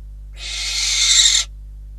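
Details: Nest of Catalonian barn owls, 12 December 2021, at prey delivery time: a single rasping, hissing screech lasting roughly one second that builds gradually, then cuts off abruptly.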